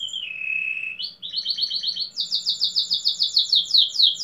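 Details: Domestic canary competing at a singing contest in Pelotas, southern Brazil, delivers a low buzzy roll, then a rising shift into fast, evenly pulsed high trills that quicken to sharp descending strokes.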